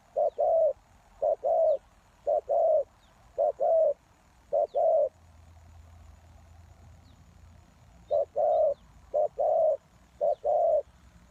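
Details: Spotted dove kept as a lure for wild doves, cooing in short-then-long pairs about once a second, a pause of some three seconds filled by a faint low hum, then the cooing resumes.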